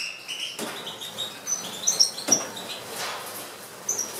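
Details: European goldfinches recorded in March 2012 giving scattered high, thin tinkling chirps and short twitters, interrupted by a few soft clicks and rustling sounds.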